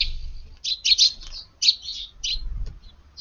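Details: Eurasian tree sparrows visiting a garden for morning feeding on a hot August 19 dawn give short, bright chirps in clustered bursts, several notes close together, then pauses, with a faint low rumble underneath.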